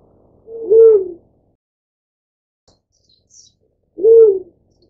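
Two low, mournful hoots about three seconds apart, each a soft slightly rising-then-falling note; otherwise quiet.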